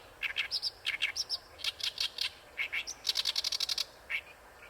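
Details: Oriental reed warbler from Ikeshima delivering a vigorous song: paired grating notes and squeaky higher accents, building to a fast rattling series of harsh repeated syllables, then one final note.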